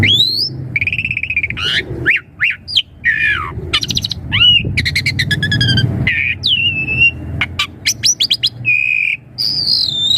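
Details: Asian pied starling singing to lure young starlings into answering: a varied stream of rising whistles, squawky notes, buzzy rattling bursts and chirps over low background rumble.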